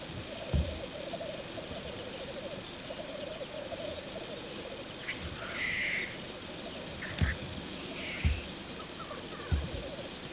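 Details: Lekking male black grouse in courtship display: a low, wavering bubbling song rolls on for several seconds, then sharp hissing sneezes break in, mixed with scattered thumps and low background rumble.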